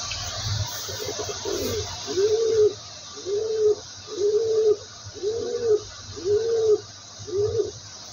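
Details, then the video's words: Pigeon calling with a run of low, soft, hooting coos, each about half a second long and slightly arched in pitch, repeated steadily roughly every seventy hundredths of a second, about eight in a row, over a constant background hiss. "pigeon voice sound"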